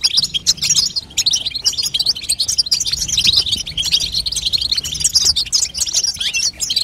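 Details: Continuous high twittering from a female European goldfinch, the babtaba call used to push a young goldfinch into singing; quick tinkling notes and short buzzes pile up with no gaps.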